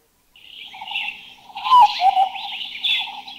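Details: Large scimitar babbler giving mellow, drawn-out hollow notes with overlapping phrases, as if two birds call together, with a sharp click midway; recorded in a Thai national park.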